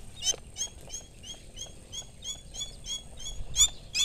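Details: Rufous-bellied eagle calling: a rapid run of high, thin, squealing notes with harmonic overtones, repeated roughly three times a second with some louder peaks, over a faint steady background hiss.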